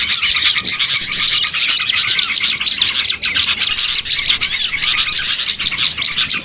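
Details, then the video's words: Small birds in a noisy flock, played as a lure for bird catching: steady high-pitched twittering from many callers, with quick chirps and brief whistled slurs packed tightly together throughout. "MP3 PIKAT BURCIL"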